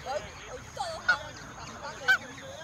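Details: Geese at feeding time in a countryside flock of over a hundred birds give loud, harsh nasal honks, two sharp peaks standing out above softer overlapping calls, with a constant faint high-pitched whine behind.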